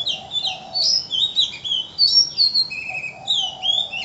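An Oriental magpie-robin sings a rich, varied string of clear whistles, slurred notes and trills, high-pitched and almost unbroken, with a faint low hum beneath.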